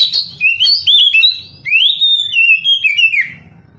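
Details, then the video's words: Oriental magpie-robin singing, used as therapy to prompt lazy young canaries to sing; a continuous run of clear, loud whistled phrases, sliding up and down, with a long rising whistle near the middle. "Terapi Kacer tercepat"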